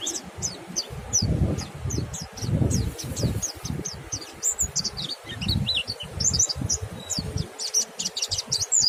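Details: Mountain white-eye singing in the ngalas style, meant to stir other white-eyes into song; rapid high thin chirps and short twittering notes run throughout, over low rumbling background noise.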